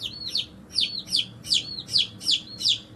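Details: Chicks recently hatched, loud and close, giving rapid shrill peeps in pairs, each note climbing then sliding down sharply, about three per second, over a quiet background.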